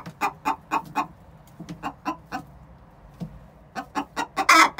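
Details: Two six-month-old hens before laying an egg; scattered clucks with a quiet gap, then quickening clucks rising to a loud harsh squawk at the end.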